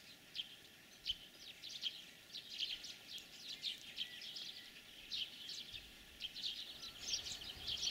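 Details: European greenfinches in spring breeding season, in the Kalyazin area, twitter in quick, overlapping bursts of high chirps and trills with characteristic rattling sounds, several birds calling together without pause against a soft outdoor hiss.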